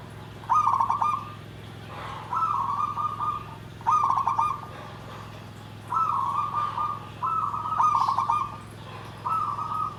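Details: Perkutut (zebra dove) repeating its 'nggandem gedhe garing' song: five rolling, trilled coo phrases, each opening with rapid stutters before a held vibrating note, recurring roughly every two seconds over a low constant hum.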